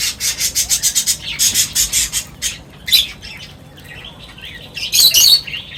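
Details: Birds feeding together deliver a quick series of sharp high chirps, then scattered twittering and a final loud burst of calls.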